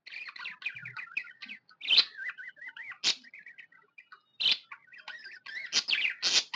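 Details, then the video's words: A happy budgerigar warbles in a long wavering twittering stream, zigzagging whistles punctuated by sharp scratchy chips. "Happy budgie chirping sound"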